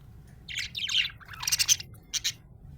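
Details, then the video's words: Happy budgie chattering in rapid, high, squeaky chirps and warbled twitters, several fast clusters closing with two short clipped tweets, against a quiet low hum. "Happy budgie chirping sound"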